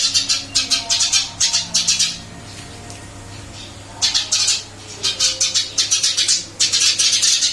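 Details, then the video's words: Eurasian tree sparrow kept in a cage and just moved to a new one, still vocal: rapid strings of harsh chirps, then a quiet gap of about two seconds before more fast chirp bursts resume. "Burung gereja pindah sangkar Alhamdulillah tetap gacor mase"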